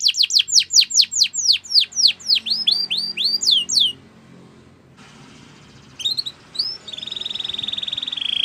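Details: Belgian canary singing as training for other birds: a long series of sharp falling whistles slowing into rising slurs, a pause, a few soft notes, then a steady buzzing roll.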